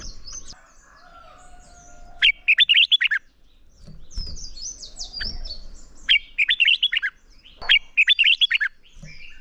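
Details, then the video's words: Red-whiskered bulbul singing a contest song in the morning, for voice training of caught birds: three short, loud phrases of quick fluty up-and-down notes, spaced about two to three seconds apart, with soft chirps between. "Chào Mào Hót Đấu - Kích Chào Mào Hót Sáng Luyện Giọng Bổi Hót Đấu Căng Lửa"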